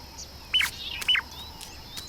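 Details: A shrike pair's morning duet (sexes look alike; male calls first, female follows within a split second): two quick ringing phrases half a second apart, each a clear high whistle slurring downward, over faint distant chirps.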